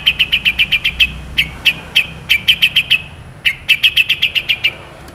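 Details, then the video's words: Long-tailed shrike delivering clear, sharp 'tembakan' in a masteran recording: crisp high clicking notes fired in quick bursts of three to eight, separated by brief pauses, over quiet low background hum. "CENDET GACOR FULL ISIAN ASLI SULTAN LAGU MEWAH TEMBAKAN TAJAM PANJANG JERNIH - MASTERAN CENDET"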